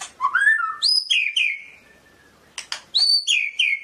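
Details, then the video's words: Medan white-rumped shama song: rich, fluty whistled phrases with bright overtones, several falling slurs in quick succession, a short pause, then sharp snapping notes and more ringing downward whistles. "SUARA BURUNG MURAI MEDAN"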